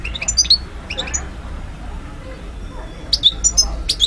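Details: European goldfinch of the parva subspecies in Algiers, Algeria, 2012: two short bursts of bright, high twittering notes separated by a quiet pause of about two seconds, with a low background hum.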